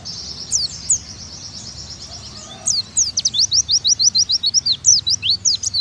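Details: An oriental white-eye, recorded as a tutor song for young birds, gives a very high, thin twittering song: quick slurred chips and rising-falling whistles tumbling together, several notes a second, over a soft low background rumble.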